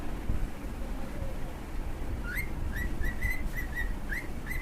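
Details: Two cockatiels singing: after a quiet start with a faint low whistle, a burst of crisp upswept whistles follows, about eight notes in two seconds, with sharp clicks and low room noise.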